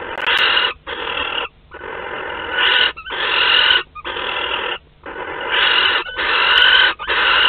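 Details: Barn owl at a nest in Théding, France, on 31 March 2021, as a live wood mouse is delivered: harsh, broadband hissing screeches, each about three-quarters of a second long, repeated with brief silent gaps.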